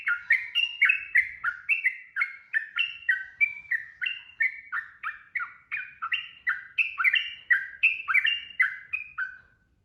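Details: Sooty-headed bulbul (trucukan) in continuous 'ropel' style singing, used as training audio for cage birds: a rapid, steady series of short bubbly, slurred notes, about three per second, with no other sounds.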